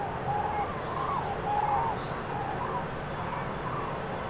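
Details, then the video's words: Spring-migrating common cranes over central France, March 2016, flocks dispersed by bad weather; a few clear, drawn-out trumpeting notes, then fainter ones, over a low rumble. "GRUE Cendrée/Migration Prénuptiale/2016"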